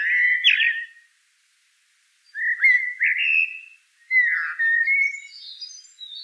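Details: Low, rich fluting phrases of a common blackbird, with a sliding whistle, a pair of short warbles, then a longer wavering phrase ending in faint high twitters.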